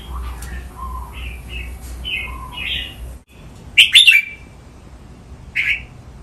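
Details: Cage red-whiskered bulbul practising playful counted-phrase training song: a run of soft, short whistled notes, then a sudden loud, sharp chattering burst and one final bright whistle.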